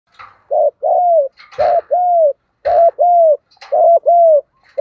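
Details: Spotted dove calls, from both male and female birds, used to lure and train birds: low, hollow coos sung in pairs, each pair a short note then a longer slurred one, repeated about once a second with faint clicks between.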